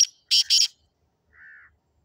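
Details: Sindhi black francolin, or kala teetar, giving two rasping, broadband notes in quick succession, followed by a softer, drawn-out tonal note; nothing else audible.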